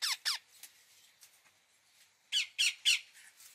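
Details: Harsh, high screeches from an Indian ringneck parakeet: two quick squawks, a pause with faint chatter, then three more loud strident notes.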